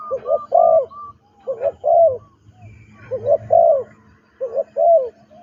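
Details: Spotted dove, a trained ground decoy bird, singing repeated cooing phrases about every second and a half: soft rolling double notes leading into a fuller, vibrating coo, with faint higher whistled notes between.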